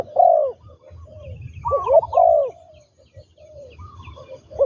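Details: Ground-lure decoy spotted dove, trained, cooing in loud husky phrases at the start and middle with quieter softer coos between, and light high-pitched bird chatter behind.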